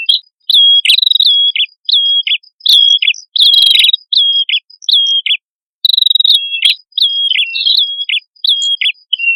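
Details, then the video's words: Male and female prinia singing actively, a recording used as a lure for flocking birds: sharp, clear chirps with short buzzy tails, in quick bursts about once per second, with brief gaps and faint high ticks. "Suara Prenjak Kepala Merah Jantan Dan Prenjak Kepala Merah Betina Gacor Pancingan Burung Ombyokan"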